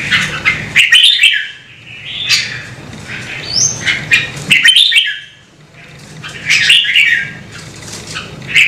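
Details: Red-whiskered bulbul singing: bursts of rich, warbling, slurred phrases roughly every two seconds, with quiet gaps between and sharp clicking knocks mixed into the phrases.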